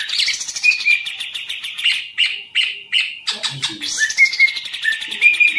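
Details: Green leafbird in a cage delivers continuous, rich chatter mixed with sharp, high whistled notes, repeated in quick phrases. A short low rustle or flutter is heard midway.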